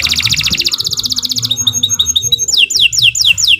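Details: Canary song used as a master recording for training other birds: long, rapid trills of high repeated notes, then sharp whistled notes and a run of descending swooping slurs repeated about four per second, with faint low background hum.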